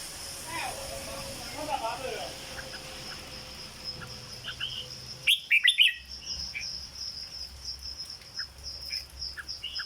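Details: Red-whiskered bulbul kept in a cage, singing 'dok' style: faint background sounds at first, then a loud quick burst of clear whistled notes around five and a half seconds, followed by scattered soft chirps and a continuous high hum.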